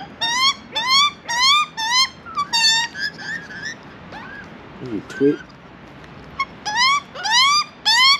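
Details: Young Australian magpie begging for food in Australia: bursts of rising nasal squeals, a quieter pause with brief voice and clicks midway, then renewed repeated squealing.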